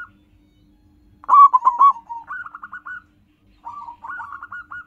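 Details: Zebra dove of the local type, its song used for luring wild birds. After silence, a loud stuttering burst of coos, then two quieter runs of quick, crisp notes separated by a pause, with a faint hum.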